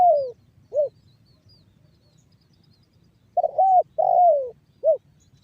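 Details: Spotted dove, a trained lure bird singing the 'banggo bocor' style, used to prompt other doves to call and coo, from Cirebon Utara, West Java. A long falling coo and a short coo, then a pause and a run of four mellow coos, the longest sliding downward.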